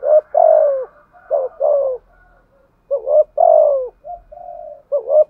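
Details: Decoy spotted dove giving thúc gù cooing in the voice style called giọng thổ: short hooked notes followed by longer, falling, throaty coos, in two bursts separated by softer drawn-out notes and a brief pause.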